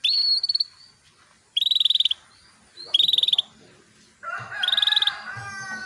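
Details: Female canary calling males, played to prompt male canaries into full song: three rapid buzzy pulsed trills about a second apart, then a lower, harsher drawn-out note at the end.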